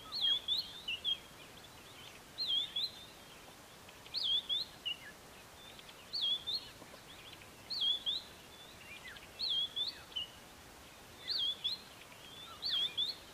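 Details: Highly repetitive phrases of a white-browed scrub robin, recorded April 2019 at the Kap River Nature Reserve near Port Alfred: the same high, looping whistled figure repeated about every two seconds, seven times, against a faint constant hiss.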